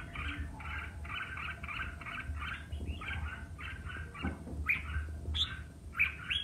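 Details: Red-whiskered bulbul in competitive singing, roused to sing intensely: short chirpy two-tone notes repeated in a quick run, then a few sharper, higher rising calls near the end, over a steady low hum.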